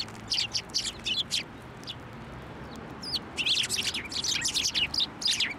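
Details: Several sparrows coming to a hand for food at a Tenmangu shrine in January, calling in busy chattering chirps, a lull, then a thicker burst of overlapping chirps; one thin looping whistle stands out mid-clip.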